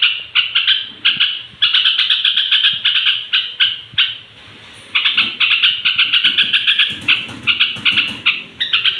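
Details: Straw-headed bulbul (trucuk) at bedtime, singing to stir rival bulbuls; bright, rapid chattering phrases repeated over and over, with one longer silent pause midway.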